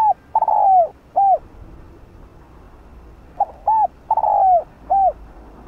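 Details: Decoy spotted dove calling to attract wild doves. It gives two phrases about three seconds apart, each a cluster of short hooting coos around one drawn-out, falling coo, with quiet gaps between them.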